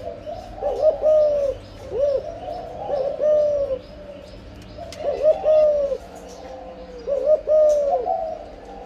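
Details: Breeding spotted dove giving 'âm lối' cooing: four soft, mellow coo phrases, each a short stutter leading into a drawn-out falling note, spaced roughly two seconds apart over a quiet background.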